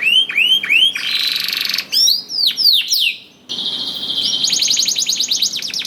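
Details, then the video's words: Singing canary, its song meant to coax quiet canaries into singing, opens with repeated rising whistled swoops, then a dense buzzy roll, more looping slurs, and a long fast trill of bright chipping notes. "KENARI GACOR DOR INI MEMANCING KENARI YANG SUSAH BUNYI JADI IKUT GACOR"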